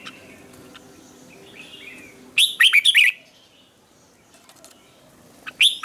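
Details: Red-whiskered bulbul morning training song with a double twisted note: a soft warble, then a loud burst of twisting whistled notes, and a second phrase beginning at the end.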